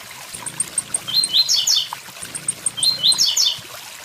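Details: A blue-black grassquit sings two "tui tui zel zel" phrases by a waterfall: thin, evenly spaced high ticks lead into a short, bright, buzzy tangle of rising notes, all over steady water noise.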